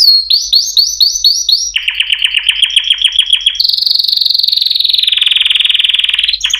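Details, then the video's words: Canary singing a run of swift upward-swept notes, then a slower pulsed trill, then a very fast, high, even trill that gradually drops in pitch. "chant singing canaries 12 تغريد الكناري"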